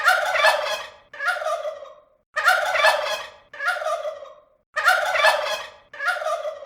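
A turkey gobbles in rapid, rattling bursts about a second long, coming in three pairs with short pauses between. Nothing else is heard.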